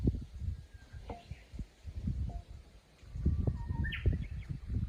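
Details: Japanese bush warbler singing in a countryside chorus: a level whistled note near the middle of the clip, then a quick higher rising flourish, with faint other whistles over a heavy low rumbling background.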